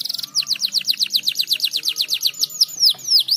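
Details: A canary sings to stimulate other birds: a brief buzz, then a quick even series of falling whistled notes, about five a second, closing with louder, wider down-slurs; faint low hum behind.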